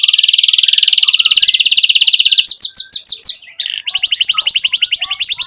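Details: Canary chirping emotionally, as stimulus for young canaries learning to sing and therapy for birds that went quiet: a long even rolling trill, a few swooping descending notes, a short pause, then a renewed rapid trill.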